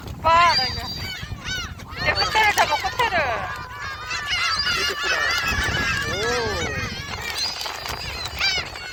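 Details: Gulls being fed shrimp snacks at Jebudo, Korea, raise a chorus of overlapping bent, screechy calls, loudest in the first four seconds, with people talking nearby and low wind noise.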